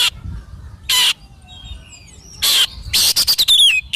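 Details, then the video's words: Oriental magpie-robin (kacer) song recorded for training and therapy, morning and evening: mostly loud, harsh, scratchy bursts with a pause between them, then a rapid stutter of rasps ending in a falling whistle, with faint thin whistles behind. "SUARA BURUNG KACER GACOR COR"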